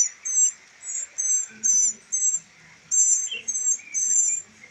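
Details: Three rescued northern mockingbird chicks in rehabilitation call insistently with around ten high, thin, grating squeaks in close pairs, while soft low murmurs sound underneath.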